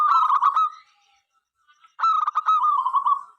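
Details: Local zebra dove, a keen singer, calling other doves to join in; two phrases of quick staccato notes trailing into a long purring trill, with a silent gap between them.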